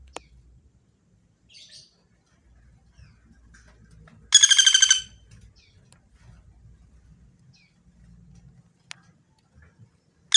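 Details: Common flameback in a recording made for training songbirds: a single loud, rapid, even trill of sharp notes lasting under a second, with faint low rumbling and scattered soft clicks before and after.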